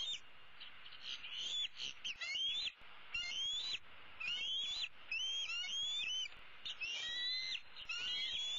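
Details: Older bald eagle eaglet from 2016, a female roosting in the nest tree with one leg dangling over the side, calling for her parents to bring food: high thin whistled squeals, rising then level, repeated rapidly in dense overlapping series.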